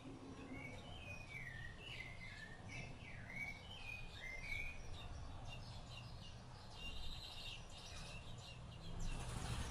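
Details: Rufous-bellied thrush feeding its nestlings: a lively string of short slurred and chirped notes in the first half, thinning to scattered high chirps over a rumbling background.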